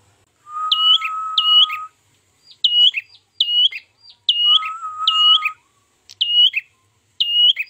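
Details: Ashy tailorbird lure sound for trapping. A brisk series of paired, piercing high notes with downward tails is heard. Twice, a long, even lower whistled tone is held beneath them.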